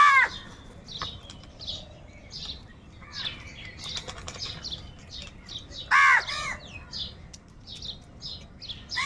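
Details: Huge numbers of crows crowing and crying, said to be fighting for food: loud harsh harmonic caws at the start and again around six seconds, amid a steady chatter of short high chirps from many birds and wing flaps.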